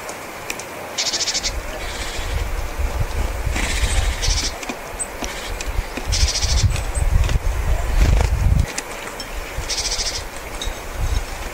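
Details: Japanese tits feeding in a flock on sunflower seeds, coming down one after another at close range, giving ordinary calls rather than spring song: several short, high buzzy bursts over a steady low rumble and wingbeat noise.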